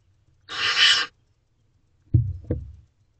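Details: Young barn owls inside a nest box on an evening in May 2023: one rough, airy hiss lasting about half a second, followed by two dull knocks from movement in the box.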